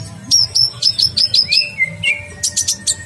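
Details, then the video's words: Prolific olive-backed sunbird for masteran: rapid series of sharp, high downslurred chirps, a long level whistle, then a burst of rasping notes, over faint low music. "Masteran kolibri ninja gacor"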